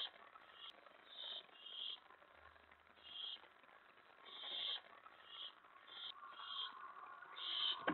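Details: Nighttime owl begging at the nest on May 15, 2017, after food is brought in: rapid, irregular breathy hisses, building louder toward the end, over a faint hum.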